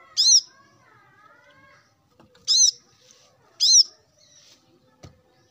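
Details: Plain-throated sunbird, a male calling rivals in the morning: three separate high, arched ringing notes, with a soft, lower wavering sound between the first two.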